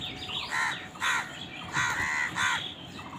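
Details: Crows fighting over food give four hoarse, nasal caws, each about a quarter second long and spaced roughly half a second apart, over steady background noise.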